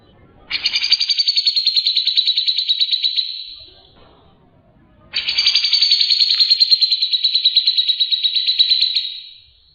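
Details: Grey-cheeked bulbul (cucak jenggot) singing actively, a recording meant for tutoring other songbirds: two long buzzy trills of rapid, even pulses, each about three to four seconds, separated by a brief quiet gap.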